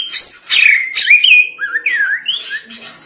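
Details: White-rumped shama in persistent song; loud high whistles sliding down into a series of varied swooping, rising and falling whistled notes.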